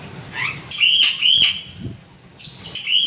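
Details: Crow repeating loud, clear whistled notes, mostly in pairs, about twice a second, with a short gap before the calls resume.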